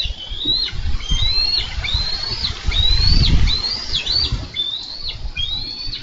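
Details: Bald eagles at a Minnesota nest, July 2013, struggling over a carp the male brought in. A steady string of sharp, high piping notes, each sliding up then dropping, repeats several times per second against strong wind noise.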